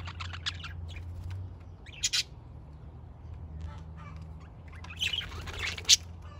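Budgerigars give short, scratchy chirps and squawky bursts, loudest near the start and again toward the end, over a steady low hum.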